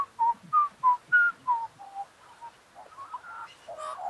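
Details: Fluting whistles from an Australian magpie in Australia: six evenly spaced pure notes alternating slightly up and down, followed by softer, jumbled warbling and a brief higher, harsher note at the end.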